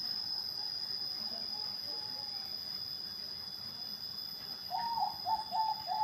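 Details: Bangkok-type zebra dove: soft, low, short coos, faint at first, then a clearer run of four or five quick notes near the end, under a steady high-pitched whine and background hiss.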